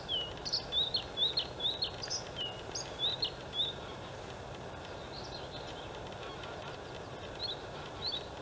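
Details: Male white-spotted Bluethroat singing openly in an outer reed area at the Halmstad harbour landfill on 6 May 2017, giving a run of high, clear, repeated whistled notes, several per second, followed by quieter scattered phrases and steady background hiss.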